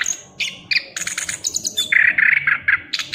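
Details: Chestnut-capped thrush in continuous rolling trotol song: fast chips and high piercing whistles give way to a run of rich warbled notes, delivered without a break.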